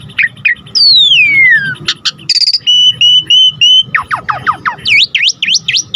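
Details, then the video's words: Asian pied starling (Jalak Suren) song rich in fill-in phrases: a long falling whistle, a buzzy burst, four short level whistles, then a fast series of steep downward and upward whistled sweeps. "Jalak Suren GACOR Full Isian"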